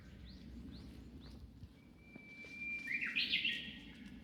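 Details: Japanese bush warbler song recorded at Zuisen-ji temple, Kamakura, Japan: after a few short, faint chirps, a sustained clear whistle leads into a rapid, rising and tumbling flourish, over steady outdoor background noise.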